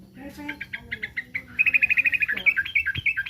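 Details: Sooty-headed bulbul giving a quick series of clipped notes that speed into a fast, even trill, then shift to bouncing, up-and-down whistled phrases; faint low hum in the background.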